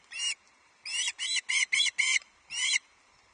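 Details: Young male Osprey at Loch Arkaig on 31 July 2023, ravenous and shrieking when the first fish, a headless trout, is delivered; seven harsh screeching calls, one, then five in a tight burst, then one more.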